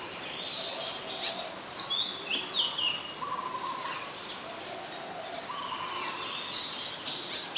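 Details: Common Tailorbird, an adult, in Ubon Ratchathani, Thailand, on 20 April 2022, giving a brief burst of high, sharp notes that slide downward, then quieter scattered chips, with lower drawn-out whistles from other birds behind.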